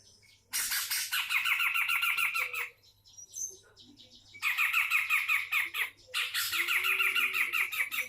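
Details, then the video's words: Grey-cheeked bulbul from Sumatra in full song, delivering long loud bursts of fast, rattling, chattering notes, each about two seconds, with brief near-silent breaks between. "Cucak jenggot sumatra gacorr"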